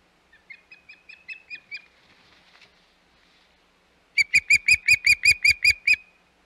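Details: At the Hog Island nest, 25 May 2021, an osprey gives a soft run of about seven high whistled chirps, pauses, then bursts into a loud, fast series of around nine sharp, piercing cheeps.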